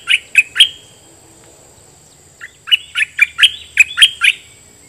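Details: Decoy red-whiskered bulbul singing its doubled song phrase at wild birds: three loud whistled notes, a pause of almost two seconds, then a longer burst of about eight bright, bubbly notes.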